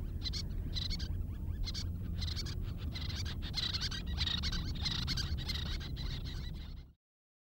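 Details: Excited Little Tern giving its rapid chattering call: sharp, high, scratchy notes about four a second, over a steady roar of wind or surf.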